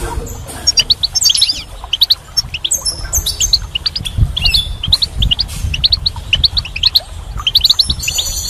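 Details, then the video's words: Goldfinch singing in spring, a lively mix of liquid twitters, rising chirps and buzzy notes, several birds calling together, faint low background noise. "Goldfinch's Song"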